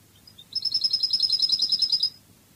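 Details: Cadiz-style goldfinch song: a couple of soft lead-in chirps, then a sustained rapid trill of evenly spaced high notes lasting about a second and a half.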